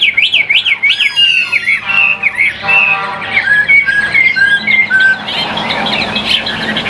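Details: Singing caged Chinese hwamei: fast looping whistles at the start, a rich harmonic slurred note, then evenly spaced short bright whistles repeated about twice a second.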